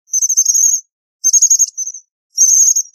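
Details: American bushtit uttering three tiny high-pitched trilled bursts about a second apart, dry and buzzy, in an otherwise quiet setting.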